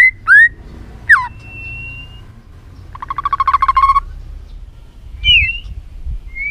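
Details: A white-rumped shama being trained to sing many voices gives a few scattered slurred whistles, a thin sustained note and a buzzy rapid trill, with gaps of quiet between.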